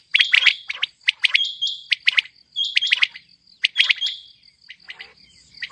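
A female common quail gives quick bursts of high, sharp chirps mixed with thin, steady whistled notes, repeated in short clusters about once a second. No other sounds intrude.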